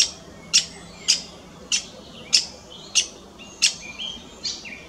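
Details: Possibly a lesser spotted woodpecker (identification uncertain) with an odd, perhaps wounded, beak gives sharp, dry 'kik' notes at irregular intervals, about one every second, with faint higher twittering between them.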